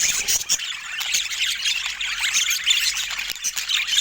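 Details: Several pet budgerigars warbling and squeaking at once, a constant high-pitched chatter with short rising and falling notes.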